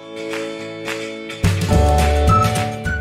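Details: Only music plays, with steady sustained instrumental tones and soft percussive pulses; no animal voice is heard.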